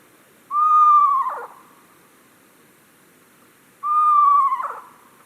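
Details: Eastern screech owl played back: two whinnies about three seconds apart, each a steady quavering whistle that breaks and falls at the end. Otherwise quiet.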